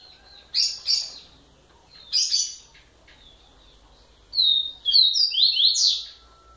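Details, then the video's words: Song of a kept coleiro, the Rusty-collared seedeater, from Bahia. Paired sharp chirps come first, then a brisk series of bright, downslurred whistled notes, each phrase falling in pitch, with little else audible. "COLEIRO A BRONCA"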